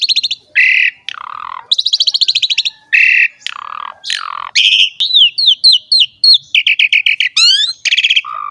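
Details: Asian pied starling song used as a master and lure for young starlings; buzzy rattling blocks, a series of falling slurred whistles, then rapid clicking notes and a rising sweep.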